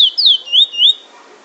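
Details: Bullfinch in Trinidad in drawl and wheet drawl singing: three loud, clear slurred whistles, each sweeping down then up, in quick succession, followed by quiet.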